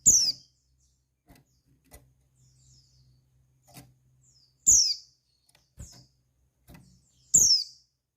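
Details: Female white-eye calling to arouse males' breeding urge: thin, high whistles sliding steeply downward, three loud ones spaced several seconds apart, with softer chirps and faint low clicks between.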